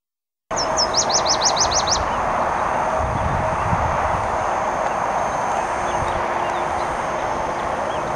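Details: A Nashville Warbler sings on its territory beside the Clark Fork River near Missoula, Montana, in riverine and upland habitat: a quick run of about seven high, sharp two-part notes over roughly a second, then silence under steady wind or distant traffic noise.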